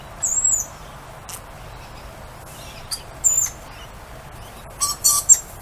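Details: Outdoor lorikeets greeting a familiar human with piercing, thin screeches: one early, one mid-way, then a rapid cluster of three shrill bursts near the end, with quiet pauses between.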